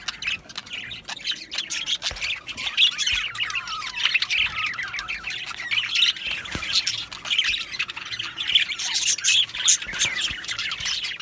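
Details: Chattering colony of Australian budgies in an aviary, a continuous wash of warbled chirps, rapid upward-sliding squeaks and scratchy twitters from many birds overlapping without pause.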